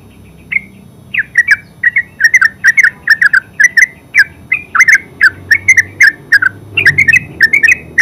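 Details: Terucuk, the yellow-vented bulbul, delivering a long ngeropel song: dense strings of short, bright chirps repeated in rapid clusters for several seconds over a soft low rumble.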